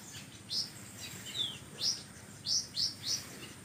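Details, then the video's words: Magpie-robin in full song, its song filled with imitations: spaced, sharp, high whistled notes, some dropping in pitch, given singly and in quick pairs over a steady hiss of background noise. "konin gacor isian kapas tembak!!!"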